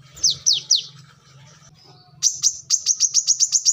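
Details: Kolibri kelapa, the brown-throated sunbird, singing: three sharp downslurred high notes, a soft pause, then a quick, even string of piercing high chips. A low background hum is present.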